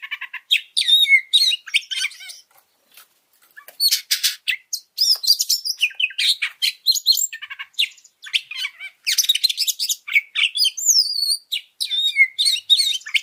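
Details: Oriental magpie-robin singing, a recording meant to stir up and tutor other birds: fast, highly varied sequences of piercing whistles, rising and falling slurs and harsh chatter, with a short quiet gap near three seconds.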